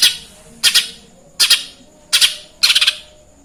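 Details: Sparrow-imitating song of a lesser green leafbird: five separate bursts of rough, squawky chirps about every 0.7 seconds, the last burst a quick stuttering run of four notes.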